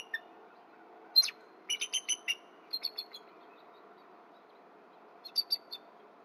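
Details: Bald eagle pair at a Berry College nest with eggs, morning of 31 December 2023. The female calls softly to her mate before mating on a branch. Bursts of thin, high, clipped notes: one, then a rapid run of five, then three, then a short cluster.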